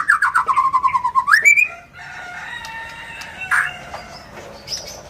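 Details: A captive Aceh white-rumped shama, an Indonesian songbird kept for song contests, sings loudly: a quick stuttering run of falling notes swooping upward into varied whistles.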